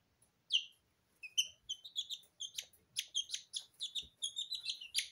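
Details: Porcelain and Lemon Sablepoot bantam chicks, two weeks old, bathing in feed in a kitchen; a lone high downslurred peep, then a growing chorus of rapid, overlapping chirps from several chicks.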